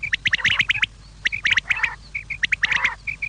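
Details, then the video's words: Evening quail calls: rapid, scratchy chirping notes in dense clusters mixed with short clear whistled pips, fairly loud and irregularly spaced, over a low background hum. "شام کیلئے بٹیر کی صاف آواز"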